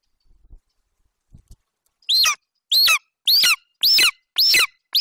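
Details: Young male golden eagle at a nest in Bucovina, 27 July 2021, calling while standing over a partial Eurasian hare his mother brought in. After a quiet start come five loud, high, harsh downslurred screeches, about every half second.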